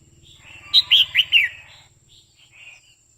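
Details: A female red-whiskered bulbul sings to stir a male into song, giving four bright, slurred whistled notes in a fast burst, each dropping in pitch, then faint chattering notes, over a low rumble.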